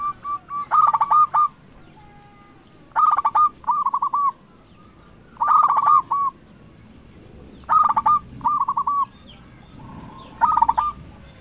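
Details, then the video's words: A local zebra dove calls its rivals as a lure. Five similar phrases come at regular intervals of about two and a half seconds, each a burst of stuttered pulses followed by a short rolling mellow coo. "Perkutut lokal gacor RAJA PIKAT memanggil lawan sekali dengar bikin semua perkutut nyaut"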